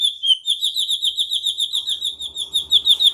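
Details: White-rumped shama, a murai batu in full song, delivering a rapid, steady run of high trilled notes repeated about three times per second, with faint low rumbling in the background.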